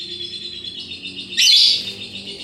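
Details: Ngekek chatter from a pet lovebird: a soft, continuous high twittering background, broken by a louder, rising, buzzy burst lasting about half a second.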